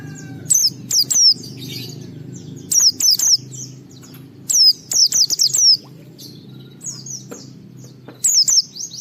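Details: White-eye song for provoking other white-eyes to sing: repeated bursts of three to five high, piercing descending whistles separated by pauses of one to two seconds, soft hum underneath.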